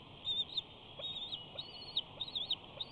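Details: Adult male bald eagle at a Big Bear nest, right in front of the camera while preening; brief series of high, thin, slurred chittering notes running together in quick clusters, with a soft background hum.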